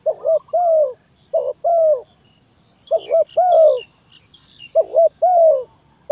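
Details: Lure call of a spotted dove for trapping: three coo phrases roughly two seconds apart, each a clipped double note then a drawn-out descending coo, with faint high chirps of other birds.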